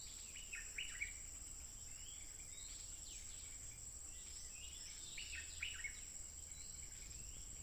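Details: Untiring, fierce song of a wild stripe-throated bulbul captured on a phone, 15 June 2021: bright chattering phrases of rising and falling notes at the start and again midway, with a continuous high-pitched insect whine behind.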